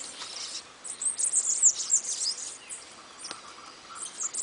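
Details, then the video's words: Bananaquit song: very high, sibilant twittering in quick bursts, loudest in a dense run through the middle, then scattered thin squeaky notes and a few lower chips near the end. "CANTO DO SIBITE"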